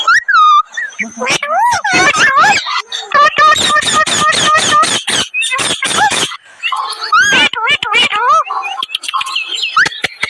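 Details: Parrots calling together, recorded on 7.8.2025: loud, harsh squawks in rapid bursts mixed with sliding whistled notes that rise and fall.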